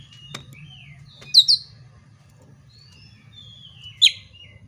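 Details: Fighting-mode Oriental magpie-robin whose song serves as a lure to rouse rival birds. Sparse sharp high notes between thin, drawn-out whistles, with quiet gaps.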